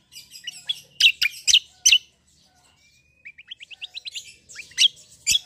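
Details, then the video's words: Black-winged myna in fighting mode, singing a rolling song. Loud harsh broadband bursts are followed by a pause, then a quick run of short rising whistled notes, and the harsh notes resume. "CUCAK KOMBO TARUNG NGEROLL GACORR"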